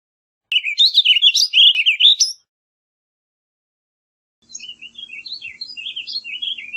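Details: Warbling vireo giving a loud, rapid warble of jumbled slurred notes, followed after a pause by a softer, more distant-sounding repeat phrase over a faint hum.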